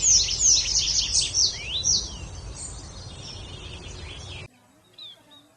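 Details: Bird chirping for a focus timer: a quick burst of high, sliding chirps and twitters that thins into scattered faint notes, then cuts to near silence with one last brief chirp.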